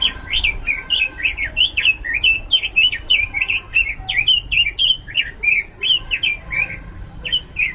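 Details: Bright, fast robin song in a bird-keeping context: steady stream of high, curling whistled notes repeated several times per second, varied in shape, continuing for the whole stretch over soft background hum.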